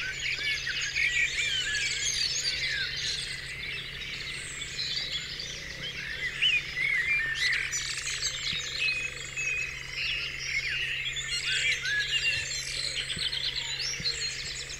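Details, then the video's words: Dawn chorus of many wild birds on Dewlands Common: a dense overlapping mix of high chirps, twitters and whistled phrases throughout, with a steady low hum underneath. "Dawn Chorus"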